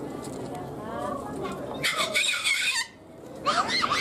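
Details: Harsh, hoarse squawks from a captive sulphur-crested cockatoo at Ueno Zoo, Tokyo, Japan: one longer rasping call, then a shorter one after a brief pause, following a stretch of people speaking.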